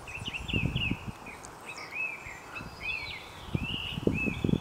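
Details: Smooth-billed Anis on mountain slopes between Concevilladoc and Santa María, Cuzco region, Peru, 1500–2500 m altitude, in rainy March 2023, give whiny, upslurred whistles, several overlapping in quick succession, over low thumping wind or handling noise.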